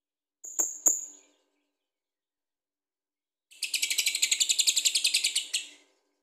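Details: Lovebird ngekek song, meant to provoke other birds to sing: two sharp chirps, a pause, then a two-second rattling trill of rapid, shrill, evenly spaced pulses.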